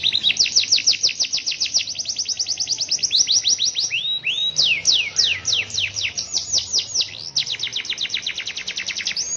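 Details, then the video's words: Canary in the rainy season singing a long, unusual roll: fast rows of repeated sweeping notes, several changes of pattern into slower rising whistles, then a quick rapid trill again, with a low background hum. "TETAP GACOR DI MUSIM HUJAN || NGEROL PANJANG DAN UNIK"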